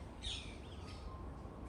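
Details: A Eurasian Hobby, from a family with juveniles fledged over a week earlier and still calling near the nest, gives one short, high, slightly harsh note, then a fainter echoing second, over low wind rumble.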